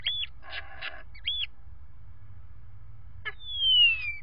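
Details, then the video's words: Common starlings inside a nest box conversing before bedtime: short whistled notes and scratchy bursts, then a long clear descending whistle, over a low hum. "Starlings conversing before bedtime"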